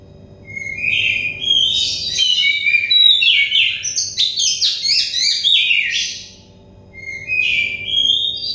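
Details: Oriental magpie-robin singing for therapy meant to bring untrained, stressed birds into song quickly: rising whistles lead into a rapid, jumbled run of high chirps, a short gap, then more whistles. A faint hum runs throughout.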